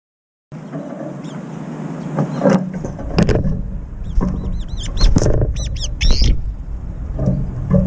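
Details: Several brown-eared bulbuls in a midair scuffle, squabbling over a feeder's food dish. Shrill arched squeaks cluster toward the end, over steady low rumble and thumps.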